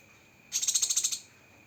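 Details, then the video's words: Cucak kinoi (lesser green leafbird) in masteran training material: a single sharp 'tembakan' burst, a rapid high rattling trill of about nine even pulses lasting under a second, with quiet before and after. "Masteran Burung Cucak Kinoi Full Isian Tembakan Pedas"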